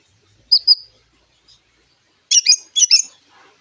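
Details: White-rumped shama copying a lovebird to stir other birds into song: a pair of high squeaky chirps, then after a pause two doubled, harsher chattering notes.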